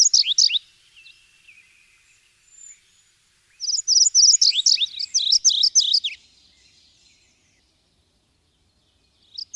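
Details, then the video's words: A brief scratchy burst of song from a subalpine warbler (Sylvia cantillans), then soft faint notes. A longer, dense, chattering warble of rapid high notes follows, lasting over two seconds. "Canto da AveToutinegra carrasqueira (Sylvia cantillans)"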